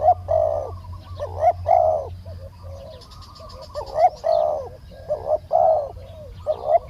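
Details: Spotted doves trading coos in a decoy session: loud hollow coos, some in quick pairs, mixed with softer replies, a low hum early on and a brief high twittering from another bird.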